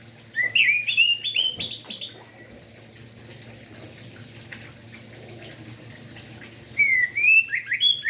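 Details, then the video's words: Orange-headed thrush singing in the morning, played to stir other orange-headed thrushes into song: short bursts of clear, slurred whistled phrases rising and falling, separated by a long quiet gap with faint background noise. "Anis merah Gacor Pagi hari - Merangsang emosi dan Birahi Anis Merah"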